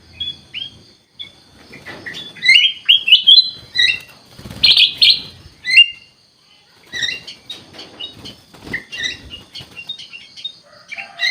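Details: Kutilang emas bulbul, singing steadily (gacor), gives bursts of bright, chattering whistles with several loud rich phrases in the middle, then scattered lighter chirps and a few soft clicks.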